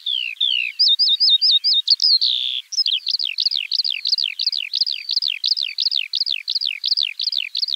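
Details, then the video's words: Alauda arvensis singing a fast zigzag trill, then a long run of evenly repeated, high slurred notes, about three per second, in a steady rolling rhythm. "Kiurun / Leivon laulua | Skylark Singing"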